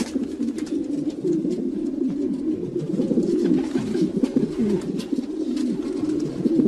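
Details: Continuous low, gurgling cooing from a flock of domestic pigeons, steady and overlapping, with light tapping and rustling sounds throughout.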